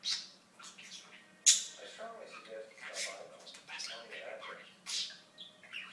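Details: Mimicked speech from a talking budgerigar, a long run of scratchy syllables with a sudden shrill squeak partway through.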